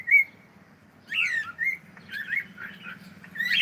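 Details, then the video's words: Pet cockatiel saying good morning: a brief clear whistle, a pause, then a warbling stream of chattering, mumbled syllables and whistled notes. "saying gud morning"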